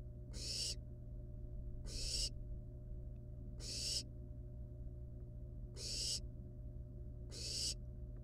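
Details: At the nest, wild barn owl chicks with still-living rat prey give five rasping hiss-screeches roughly every one and a half seconds, each a short noisy burst, with constant low electrical hum behind.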